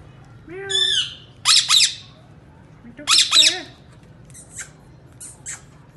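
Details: Talking rose-ringed parakeet speaking Urdu indoors, in Pakistan or India: several shrill, squawky, speech-like phrases with rising and falling harmonic sweeps, in pairs about two seconds apart, then fainter short chirps, over a low steady room hum.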